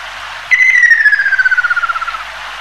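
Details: Descending whistled trill of a ruddy kingfisher, which migrates from northeast Asian breeding grounds and occasionally passes through Taiwan; one clear note begins high, glides lower for nearly two seconds and dissolves into a quick rattle of pulses.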